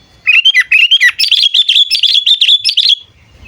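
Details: Sooty-headed bulbul calling, a lure call used to draw in and train birds: a run of quick, bubbly whistled notes that climb slightly and flow together for nearly three seconds.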